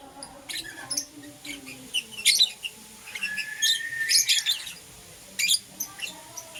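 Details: Lovebirds of Euwing Green Opaline and Lutino colour, morning chirping: scattered high squeaky notes and one longer rising whistle, then a sharp burst near the end.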